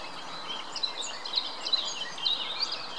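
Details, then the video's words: Several Greylag Goose goslings at the Munich Botanical Garden, 2 May 2018, give thin, high peeping notes, overlapping irregularly about once a second over a steady background hiss. "Anser anser chicks"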